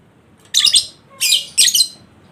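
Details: Lovebird ngekek song used to stir a lazy bird into singing: three quick, loud, grating chatter bursts in close succession, rough and noisy in tone.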